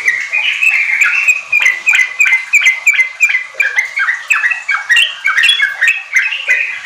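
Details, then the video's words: Loud, continuous sooty-headed bulbul chatter, meant to push untrained caged bulbuls into fast riwik and ropel singing. Warbled liquid notes tumble quickly and unevenly, several phrases packed into each second. "Pancingan trucuk ampuh bikin trucukan bahan cepat riwik ropel gacor"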